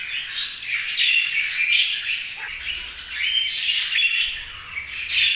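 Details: Overlapping budgie chirps form a lively, scratchy warble, with clear high whistled squeaks popping out every second or so.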